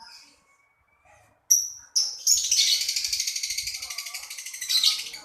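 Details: Lovebird chatter: two sharp shrill notes, then a sustained, quickly pulsing harsh high-pitched trill lasting around three seconds.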